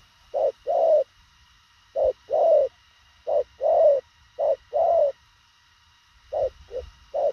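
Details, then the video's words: Spotted dove delivering quick, succinct coos: paired hollow notes, each a brief pip then a longer rounded coo, given in bursts separated by pauses, with a longer gap before three closing notes. "Thổ khàng tốc độ gù bá cháy, ngắn gọn xúc tích."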